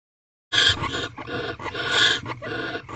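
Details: Barn owls in a nest box during mating, recorded at 5:19 am on 9 March 2023, the 20th night: after half a second of silence, harsh, hissing, broadband screeches with a shrill whistled edge run almost continuously, rising and falling in loudness.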